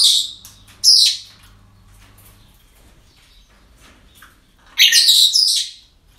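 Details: Breeding-centre parrots calling on an ordinary day: a loud harsh screech near the start, a long quiet gap, then an extended, rough, high-pitched squawking burst lasting about a second.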